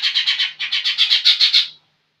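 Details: Rapid harsh chatter from a young lesser green leafbird, singing energetically: about a dozen rasping notes in under two seconds, with a brief pause after the first four, then growing louder toward the end.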